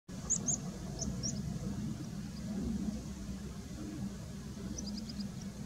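Meadow pipit giving thin, high 'tsip' notes in short clusters of two to four, over a steady low rumble of distant traffic.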